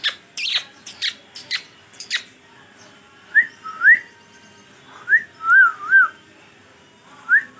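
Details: Green rose-ringed parakeet, a talking pet parrot that says 'Masha Allah': a run of short, breathy, word-like bursts, then several clear whistled notes that swoop up and down, spaced about a second apart.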